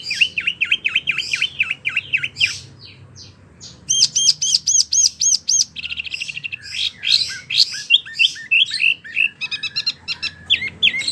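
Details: Wambie mini in full, vigorous song used as tutor material for competition birds. Series of descending whistled notes, a brief quieter pause, then rapid high ringing phrases, trills and fast repeated chips.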